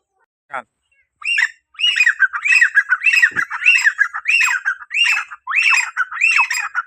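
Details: After a brief click, a grey francolin calling to bring in other francolins starts a long rhythmic chain of loud, rasping, arch-shaped notes, roughly one every half second, continuing to the end.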